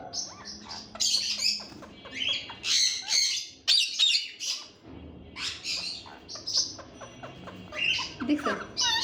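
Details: Talking Indian ringneck parakeet: a rapid stream of chattering, squawky syllables, speech-like bursts mixed with shrill chirps, hardly pausing across the whole stretch.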